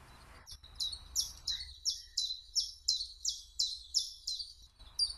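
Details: Common chiffchaff (Phylloscopus collybita) singing a steady run of high, downslurred notes, roughly two per second, each chirp alternating slightly in pitch; a faint low background hum is present underneath.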